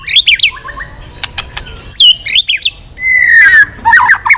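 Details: A white-rumped shama sings strings of changing voices while flicking its tail. Quick chattering bursts lead into a long downward-sliding whistle and more rapid twittering notes.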